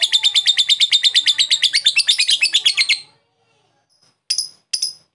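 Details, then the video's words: Lovebird chattering in a long 'ngekek' run, used as therapy for lazy birds and to call a rival: rapid, even, shrill pulses for about three seconds, followed after a gap by two short sharp notes. "Lb ngetik ngekek panjang terapi Lovebird bahan malas bunyi cepat respon"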